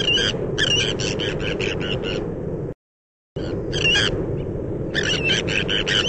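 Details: Breeding colony of Sandwich terns on Texel, Netherlands, with many birds calling: repeated raspy, scratchy notes in quick series and short bursts, set against constant low background noise from wind or sea.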